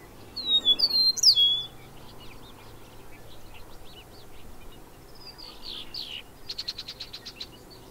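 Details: Bobolink giving loud, high, descending slurred notes, followed by softer scattered chips and a closing run of fast, evenly spaced buzzy clicks, with a steady low hum underneath.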